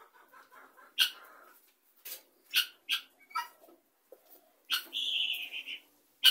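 Helmeted guineafowl give harsh, grating, high-pitched calls: a scattered series of abrupt rasping bursts and one drawn-out metallic note, with several birds calling together.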